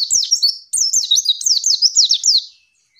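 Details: Female white-eye used as a training master, singing a rapid high twittering run of sharp downslurred and zigzag notes, two bursts with a short break.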